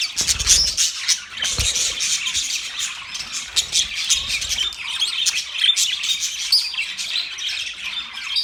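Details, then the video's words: Budgerigars chirping and squawking in a constant rough chatter, with scattered thin whistled squeaks and some low thumps near the start. "Budgies chirping sound"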